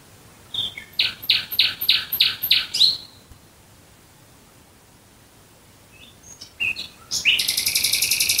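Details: Nocturnal nightingale song recorded near Dresden: a burst of six loud, rapid chopping notes, a long pause, then scattered thin chips and a harsh, fast rattle at the end.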